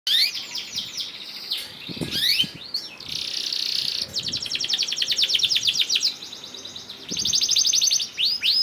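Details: Canary in full, vigorous song with long rolling trills, used as a lure to get other canaries singing; high, fast-repeated notes broken by buzzy passages and rising whistled sweeps, about four notes per second.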